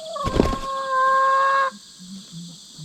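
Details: Hen screaming during a pecking-order fight between two sisters born two years apart, just put together; the older wins. A sharp thud, then a sustained, steady shrill cry lasting over a second, with a constant insect drone behind.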